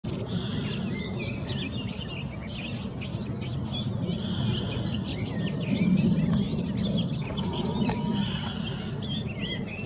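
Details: Garden warbler delivering a continuous, rapid, high warbling phrase of mixed chirps and trills, partly masked by a loud low rumble of environmental noise.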